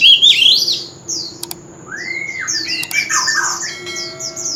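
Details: Mature forest-caught oriental magpie-robin singing on a street corner. Sharp downslurred high notes, two clicks, then a long rising-falling whistle followed by tumbling warbled phrases and repeated falling chips.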